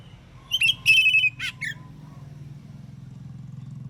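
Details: A morning phrase from an Oriental magpie-robin singing to get rival magpie-robins to answer: clipped notes leading into a long even whistle, a falling slur and a short tail note, followed by a pulsing low engine-like hum.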